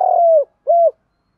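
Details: Spotted dove, calls used to train decoy birds: a long, smooth, slightly falling coo followed by a shorter rounded coo, low and hollow, in a silent background.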